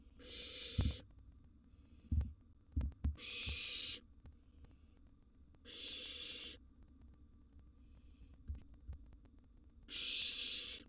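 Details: Barn owl nestling, wild, begging at mealtime in a monitored nest box as a sizeable gerbil arrives; repeated harsh hissing screeches of about a second every two to three seconds, with soft knocks and shuffling between.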